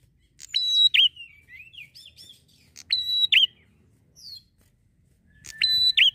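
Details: Bar-winged prinia in lively, steady song used to lure prinias. Loud phrases recur about every two and a half seconds, each a click, a level high whistle and a quick falling twist. Brief chirps and squeaks sound between phrases.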